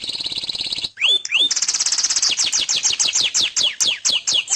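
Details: Canary singing: a buzzy rolling trill, two sharp rising-then-falling whistles, then a long fast series of downslurred chips repeated several times a second.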